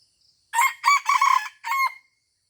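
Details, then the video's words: Red junglefowl crowing at Taman Rusa, Aceh, during bird luring: a loud, harsh four-part crow lasting about one and a half seconds, with a short first note, two longer hoarse middle phrases and a separate final note, against a quiet background. "AYAM HUTAN Aceh # Mikat di Taman Rusa"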